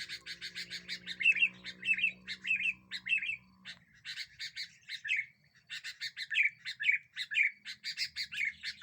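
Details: Lure recording of a sooty-headed bulbul in full song, said to make other birds agitated: bursts of dry repeated chatter alternating with short warbled, slurred whistles, a brief pause midway, and a low steady hum early on.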